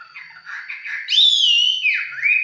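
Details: Red-whiskered bulbul, a 'mộc chiến' bird heard close by in casual song, gives soft low warbles followed by a loud, pure whistle that jumps up, glides slowly down, dips, then rises again.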